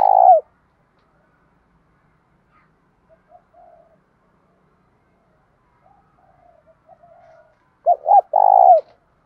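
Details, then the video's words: Spotted dove cooing in the thổ voice style, challenge and calling coo: a loud short coo at the start, soft scattered notes in the middle, then a stuttered two-part loud coo near the end. "cu gáy giọng thổ Thúc Đấu + Gáy Gọi + Giọng hạp bổi + giọng to rõ"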